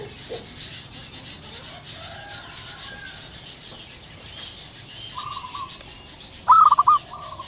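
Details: Wild zebra dove calling in the morning: two faint cooing phrases, then a louder, rapid stuttering trill of soft coos near the end, over a steady background of distant chirps and insect hiss.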